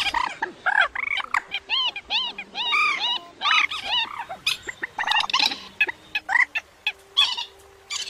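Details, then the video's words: Rails and crakes, Vietnamese night-netting lure recording for the August 2024 migration season, give a rapid series of nasal, arched squealing notes, about three per second, with loud overlapping bursts and brief pauses. "Tiếng Quốc Mốc , Cuốc Bèo Trích Ré"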